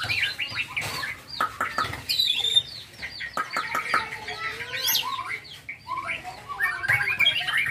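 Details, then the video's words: Young white-rumped shama, a contest bird, singing a dense, varied jumble of whistles, slurred notes and sharp clicks with rapid sweeps and chattering bursts throughout. "Murai batu gacor pastol ,burung lomba,dunia kicau"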